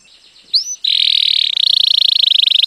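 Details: Canary song meant to teach chicks. A quick rising whistle leads into a loud, rapid, sustained trill, very steady and high. The trill speeds into a pulsing rattle for over a second, with no other sounds heard.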